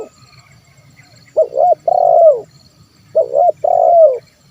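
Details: A spotted dove in the 'kuk 1' pattern, used as a lure so wild doves answer. Two phrases each hold a pair of quick, hollow hoots and then a long, buzzing, downward coo, with quiet low rumble between them.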